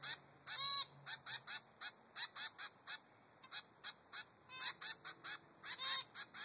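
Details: Begging calls of a three-week-old zebra finch chick demanding food from its mother, short buzzy high bursts in uneven quick series, broken by a few nasal squeaky notes with stacked overtones.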